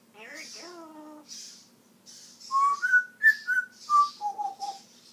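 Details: Pet talking African grey known for mimicking: a short, buzzy, falling phrase, then a clear whistled tune of about eight pure notes that climb and then step down, loud and fast, with faint high ticks behind.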